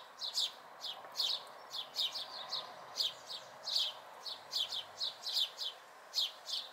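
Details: House sparrow fledglings, watched in May 2020, give sharp chirps in uneven groups of two or three, several each second, over a soft steady background.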